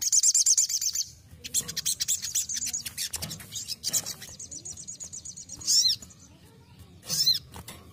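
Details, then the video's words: Training-style basic song from a ruby-cheeked sunbird: long, rapid, high trills and dense clicking chatter, broken by two piercing arched whistles near the end. "KICAUAN DASAR SOGON"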